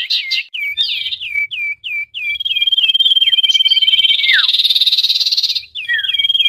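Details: Busy common iora call used as a lure for trapping: quick downslurred whistled notes repeated several times a second, then a long, high, buzzy pulsed trill with one steeply falling note.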